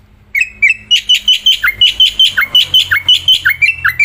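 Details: Black-winged myna singing while held in the hand outdoors, still singing hard: a steady series of about 15 loud, whistled, slurred notes, alternating bright level whistles with dipping ones, delivered almost twice a second.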